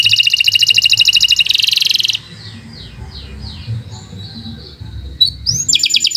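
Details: Canary singing long and continuously, a recording meant as a master song for other birds: a fast, dense buzzy trill for two seconds, then softer descending slurred notes, and a rapid trill returning at the end, over a faint low hum.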